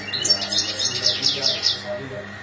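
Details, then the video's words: European goldfinch mating calls: a dense, fast run of bright, high-pitched tinkling chirps repeated several times a second, tapering off at the end, with faint steady hum behind. "بتبتة الحسون تغريد رائع نداءات التزاوج"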